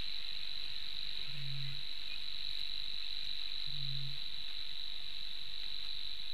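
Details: A Eurasian Bittern (Botaurus stellaris) near its nest in the Lake Engure reedbeds, Latvia, at 12:26 on 4 May 2023, gives two deep, hollow booms about two and a half seconds apart, under a steady high-pitched whine.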